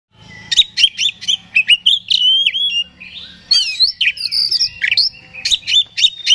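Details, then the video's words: Oriental magpie-robin (kacer) song used to provoke another bird and raise its aggression: loud, varied whistled phrases mixed with sharp repeated chirps and rising and falling notes, high-pitched throughout. "Suara Pancingan Kacer Agar Cepat Emosi Gacor ! Pancingan Paling Ampuh Buat Menaikan Emosi Kacer"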